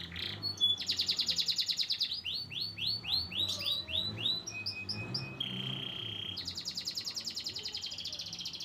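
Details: Canary song from a white crested bird, mixing fast buzzy trills, a series of rising-falling sweeps, and a steady pure whistled note before another rapid trill.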